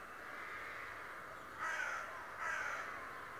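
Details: A raven said to be able to talk utters two short, raspy calls in quick succession after a quiet start, against a constant low hum.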